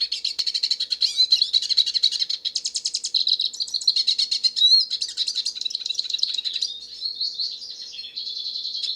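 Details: A long, unbroken stream of song from a wild Hooded Siskin in nature: rapid high twitters, buzzy trills and short slurred whistles run together without pause.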